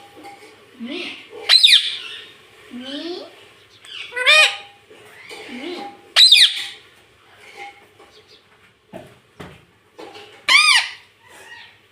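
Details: Pet parrot known for talking, including saying mummy, gives sharp high squawks and upswept speech-like syllables every two to four seconds over a low indoor background hum.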